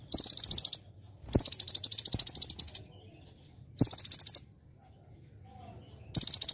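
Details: Olive-backed sunbird singing a celilin-filled training song for other birds. Dense, rapid, buzzy high trills come in bursts of about one second, separated by short pauses, with a faint hum behind.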